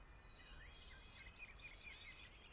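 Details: White-throated Sparrow whistles: two clear, pure, steady notes, each under a second long. The second note is set higher and is slightly wavering. The background is quiet.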